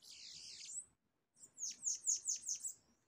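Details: Bananaquit song during a fight with a caged bird, a pair having flown in: a high hissing warble, a short pause, then six quick descending buzzy notes in a row.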